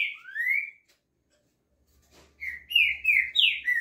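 Green-winged saltator singing loud, clear whistled phrases. An opening rising whistle is followed after a pause by a rapid run of rich, slurred notes.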